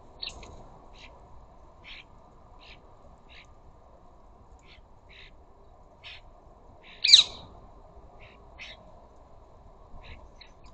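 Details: Ring-necked parakeets visiting a bird feeder in a flock: short, sharp clipped notes repeated roughly every half to one second, broken by one loud harsh squawk midway, over a faint low background hum.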